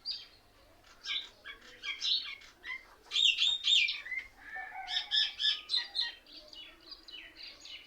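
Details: Mynas calling together from one tree, their sounds likened to laughing and mockery of other birds; rapid runs of clipped chirps build into loud rhythmic bursts of squeaky, stuttering notes.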